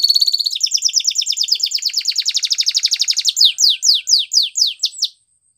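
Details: A canary sings a training song: a fast high trill that gradually slows into distinct, well-spaced sweeping notes before stopping.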